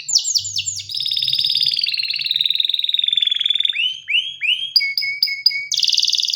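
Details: Canary song. A few high falling whistles lead into a long even trill that glides lower, followed by rising slurs and repeated two-tone chirps.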